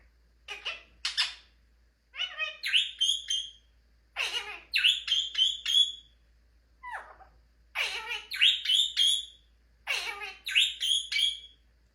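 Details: A pet ringneck (rose-ringed) parakeet, a talking parrot named Elvis, chatters in high, raspy, speech-like bursts of three or four with short pauses about every two seconds, amid owner's talk of "Give me a kiss, tickle."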